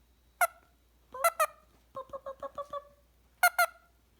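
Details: Pet recessive pied Indian ringneck parakeet, male, making silly noises at night before bedtime: sharp nasal squawks, singly and in pairs, then a quick run of six short bubbling notes, all mid-pitched and harmonic-rich.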